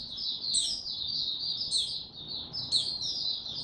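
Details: Male white-eye on 6 March 2022, still building up before opening his song: a steady, sweet, high twittering flow with three piercing upward notes spaced about a second apart.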